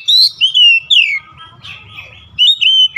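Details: Oriental magpie-robin giving sweet, drawn-out whistles that glide downward, a short pause, then more fluty slurred notes, over a soft low rumble.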